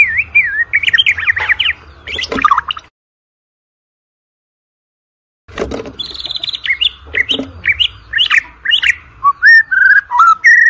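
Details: White-rumped shama song played as a lure to get competition birds singing: rapid wavering whistles and sharp chips, a silent pause of nearly three seconds, then bright rising and falling whistled notes and clipped chirps.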